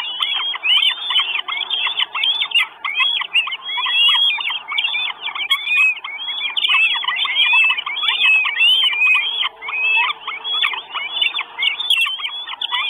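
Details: On 1 June 2022 in Estonia, a live nest camera captures four Northern goshawk chicks begging for food: a continuous chorus of piercing, up-and-down whistles, several every second, with no breaks for thirteen seconds.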